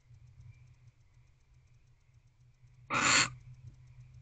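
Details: Barn owl waiting in its nest box for its partner to return, 25 December 2023, late evening. A steady faint hum runs throughout, then a single loud, breathy screech bursts out near the end.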